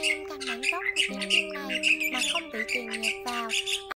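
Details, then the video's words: Migratory starlings and white-headed starlings chattering in a dense, busy stream of harsh squawks, creaky notes and clear whistled tones, several overlapping voices with no pause; a recording used as a trapping lure. "Tiếng Bẫy Chim Sáo Đá Di Cư , Sáo Đầu Trắng"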